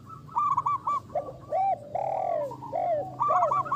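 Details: Local zebra dove singing strongly, described as a champion lure bird with a big voice: a series of rapid, rolling cooing notes, short arched coos rising and falling, with brief pauses between bursts and faint background hum.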